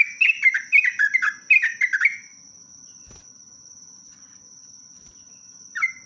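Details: Sooty-headed bulbul singing a long lure phrase. Two seconds of quick, bouncing, downward-slurred whistles are followed by a quiet gap, a faint click and one final short note. A high steady whine runs under everything.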